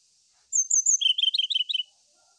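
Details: Brown-chested jungle flycatcher song used to seek a rival: a quick burst of high thin notes followed by a jumbled series of rapid chirping whistles lasting about one and a half seconds, with a faint high hiss behind.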